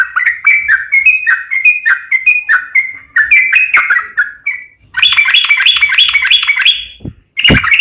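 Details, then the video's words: Yellow-vented bulbul singing as a lure for other bulbuls: a string of separate bubbly warbled phrases, then a dense fast chattering trill, ending with a sharp burst. "trucukan gacor ROPEL PANJANG buat pancingan trucukan agar bunyi"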